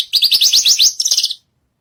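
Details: Javan bushlark (branjagan) singing vigorously on a stage: a fast, even trill of rising high notes, about eight per second, ending in a softer buzzy flutter.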